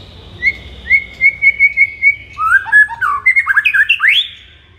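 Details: Kept-shama master song, white-rumped shama in the morning: a string of about eight evenly spaced clear whistled notes, then a fast tumbling series of slurred whistles ending in a sharp upward sweep.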